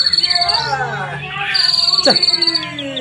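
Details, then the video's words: White-rumped shama at a bird singing contest, giving long high buzzy trills repeated twice with sweeping whistled notes below, amid crowd noise and background chatter. "Lomba Burung Online Murai Batu"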